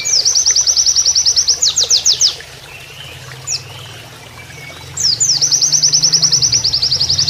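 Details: Training master recording of an Oriental white-eye in canary-imitating song over flowing water: rapid high trill ending in a few louder slurred notes, a quiet gap with one short call, then a renewed long, fast trill.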